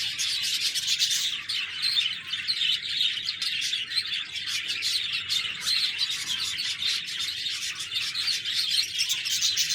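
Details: Many budgies twittering together: thick, unbroken high-pitched chirping and chattering warbles, with no pause from start to end.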